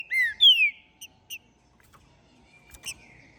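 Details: Captive, ringed green-winged saltator of Minas Gerais after moult gives bright whistled notes, a rising one then a long clear downslurred whistle, two short chips, and a quieter drawn-out whistle with clicks near the end.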